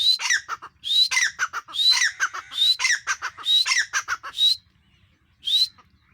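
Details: Grey francolin female repeating a rising whistled note with rapid rasping follow-up notes about once per second, then a pause and one final lone whistle.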